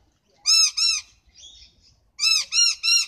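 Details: Noisy miner calling with harsh, rasping notes: a pair of loud squawks, then a softer, fainter note, then three more strident notes in a rapid even run. Little other sound is present.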